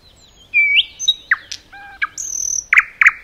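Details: Nightingale song in a forest, loose and sparse here: a sliding whistle, scattered sharp clicks, a thin high sustained note and two loud harsh bursts near the end.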